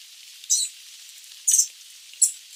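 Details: Sooty babbler (Stachyris herberti) song: three brief, very high, thin notes about a second apart, each a quick chirpy burst against a faint hiss.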